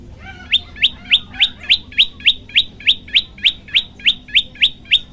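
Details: Prenjak lumut (olive-backed tailorbird) singing briskly on a tutor recording meant for teaching other birds: after a brief pause, a fast regular series of piercing rising chips, over three per second, against faint low background noise.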